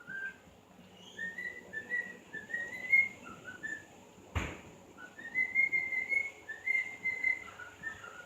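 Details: Pet bird singing indoors: short slurred whistled notes in rising and falling phrases, repeated in two bursts separated by a sharp click.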